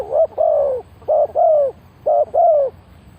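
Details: Decoy spotted dove used for luring wild doves, giving three quick paired coos about a second apart, a short hollow note followed by a longer falling one each time.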